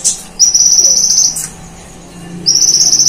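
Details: Kolibri ninja sunbird singing vigorously, a bird that mimics cililin calls and golden grasshopper sounds: long, thin, high buzzing trills held for about a second, separated by a brief sharp chip and a short pause.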